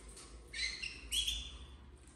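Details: Domestic canary chicks of the red frosted variety, bred in 2024, giving two quick, bright, rich chirps about half a second apart over a low steady hum.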